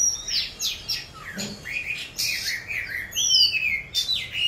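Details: Young Oriental magpie-robin learning to sing: a rambling run of varied high whistles, sweeping slurred notes and scratchy chirps, uneven in rhythm, over a quiet background.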